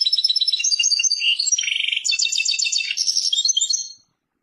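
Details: Persian-described European goldfinch delivering one continuous run of rapid liquid twitters, a brief dry buzzy trill in the middle, then high chattering notes that fade out after about four seconds.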